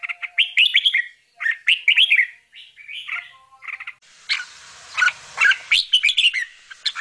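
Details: Young bulbuls calling as their mother feeds them: clusters of sharp, buzzy chirps, then louder spaced notes over a background hiss.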